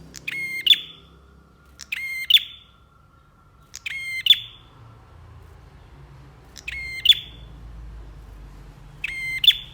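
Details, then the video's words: Bar-winged prinia singing strongly for a bird-training recording: five repeated phrases, each a click, a nasal buzz and a bright shrill end note, the last two after a longer pause. Steady low hum in the background. "MASTERAN BURUNG PRENJAK GACOR"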